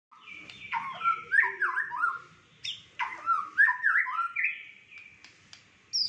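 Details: White-rumped shama, a fighter bird with a rich repertoire, singing varied whistled phrases of slurred rising and falling notes in quick bursts, with short pauses between phrases.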